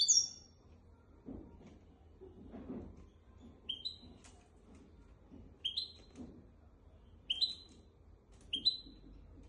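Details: Goldfinch x canary hybrid whose song serves to teach goldfinches and canaries: short, high, downslurred double chirps spaced one to two seconds apart, with faint low knocks in the background.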